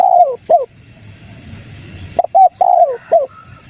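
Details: Spotted dove lure, 'kuk 3' style, played so wild doves answer: a falling coo and short note, a pause, then a fuller phrase of quick notes with a drawn-out descending coo and a closing note.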